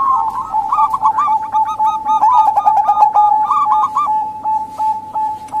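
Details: Female local zebra dove calling, used to lure reluctant males or wild doves: rapid trilled cooing notes tumbling over a steady high hum, with several overlapping callers and sharp clicks in the background.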